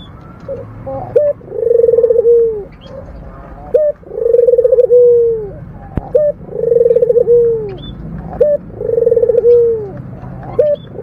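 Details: Steady series of purring coos from a local puter dove. Each phrase is a throbbing trill sliding into a long, falling hum, with brief sharp notes in between. Four phrases about two and a half seconds apart.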